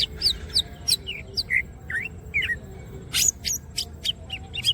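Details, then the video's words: Singing Greater green leafbird spreading its wings: quick alternation of high chips and mid-pitched whistled slurs, then a cluster of sharp, piercing high notes and short whistles near the end. "green cucak birds open wings siip and gacor materials"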